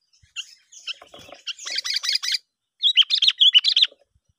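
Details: Sooty-headed bulbul used as a lure bird for trapping, giving bright chirped notes: a scratchy, uneven run of high chips, then after a short pause a quicker string of clear, rising whistled notes.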